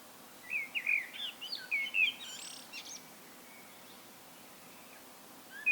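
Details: Common blackbird in solo song: a burst of loud mellow whistles and a high scratchy twitter over about two seconds, then steady background hiss until one note at the end.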